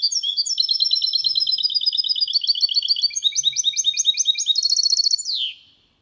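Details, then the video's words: Clean-singing goldfinch × canary hybrid, 2022, used so males are stimulated to sing and young birds memorise the song. Dense, high twittering trills change rhythm midway and finish with a falling swept note. "Mixto de Jilguero Cantando Limpio 2022 para Estimular"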